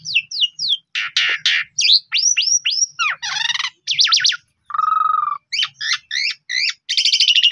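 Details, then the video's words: Persistent song of a Pundung-type Asian pied starling used to get stressed or silent birds singing: quick repeated slurred whistles, scratchy bursts, a low steady whistle around mid-clip and a closing buzzy trill. "Pancingan Jalak Suren Paling Bagus !! Jalak Suren Pundung 100% Gacor"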